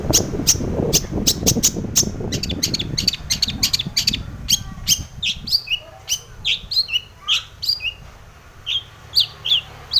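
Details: Long-tailed shrike singing as a lure for other shrikes: a fast clattering run of clicks and chatter, then rhythmic high descending whistles repeated every half second or so.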